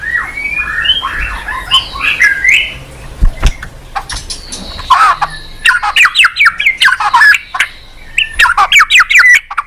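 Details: White-rumped shama (Copsychus malabaricus), song.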